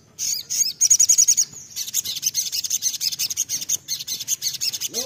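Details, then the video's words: Sunbird song as a lure to get birds singing: a quick ticking trill, a brief pause, then a long, rapid, high chattering stream of scratchy notes. "sogon nembak pancingan sogon bahan sogon gacor pancing bunyi"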